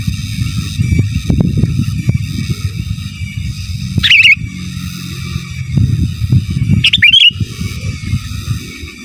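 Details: Sooty-headed bulbul in gacor song, giras and menggaruda style, for masteran: two short warbled phrases several seconds apart, partly masked by loud low traffic-like rumble and a steady high whine.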